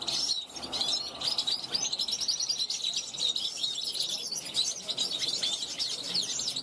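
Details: Young European goldfinch from 2021 on a balcony, calling to wild goldfinches as they pass; energetic high twittering with fast rattles and chirps running without break.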